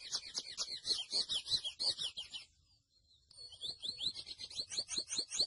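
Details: Mochuelo, the grey seedeater, gives fast high twittering song, breaks off for under a second, then resumes with quick sweeping whistles.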